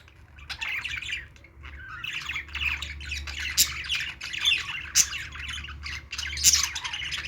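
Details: Parakeets at play give a mix of scratchy warbles and harsh squawks, starting quietly and growing busier, with several sharp loud clicks standing out over a low hum.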